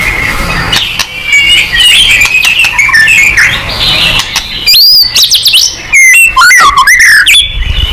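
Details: Energetic white-rumped shama song played to make other birds respond: a run of chattering notes, then loud, high, sweeping whistles and quick twisting phrases toward the end.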